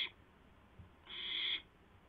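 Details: At a nest shortly after midnight on 12 April 2016, an owl arrives carrying a mouse for its mate; one loud, rasping hiss lasting about half a second follows a brief softer rasp, with near silence otherwise.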